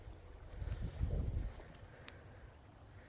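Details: Low rumbling wind buffeting the microphone, with water or boat noise and no animal voices.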